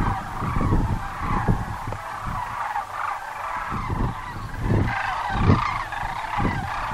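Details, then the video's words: Flock of sandhill cranes at Muleshoe Wildlife Refuge, Texas, calling together in overlapping trumpeting rattles, with a louder cluster of calls near the end and wind thumping below. "Song of the Sandhills"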